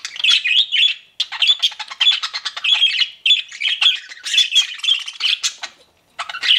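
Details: Chattering pet budgerigars: continuous high, scratchy warbling with rapid clicks and squawky chirps, pausing briefly twice before starting again.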